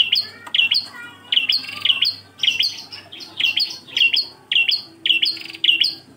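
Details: Engkel-style song of a Bar-winged prinia, kept for training other birds: loud, piercing two-part chirps delivered in a quick, even series, each note dropping slightly, with a faint low hum beneath.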